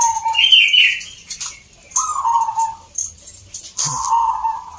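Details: Zebra dove at a song contest in Salatiga, Central Java: three mellow, slightly falling coo phrases, mixed with higher chirping from other birds and a noisy, busy crowd.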